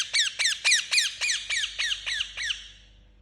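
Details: Pet Indian ringneck parakeet chirping; a rapid run of about ten harsh, high, downward-sweeping notes, roughly four per second, fading toward the end, with a faint low hum beneath.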